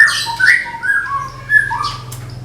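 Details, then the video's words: Medan white-rumped shama kept caged for song contests, giving tembakan phrases of slurred whistles that dip lower and rise again, over a steady low hum. "SUARA TEMBAKAN MURAI MEDAN SIAP DIPINANG DI GANTANGAN"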